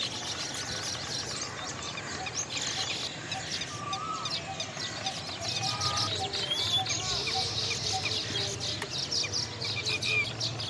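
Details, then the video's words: Little green bee-eaters (Indian bee-eaters) give short, high, trilling chirps again and again over a dense hiss of chattering birds and insects, with a low background rumble; Asian green bee-eater. "Little Green bee eaters"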